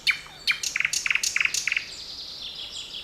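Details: Birds singing in a forest on 7 May 2020: a lively run of about a dozen quick, sharp chirps in close succession, each a bright high note, with fainter high calls behind.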